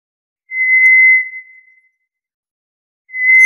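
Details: White's thrush giving a long flat whistle that fades out, then after a pause of over a second a second whistle begins at the same pitch; a faint click at the end.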